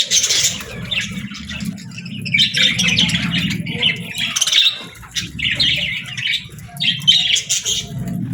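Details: Budgie parents feeding their chicks; grating squawks and chirps come in clustered bursts of about a second, with pauses between and a steady low hum behind.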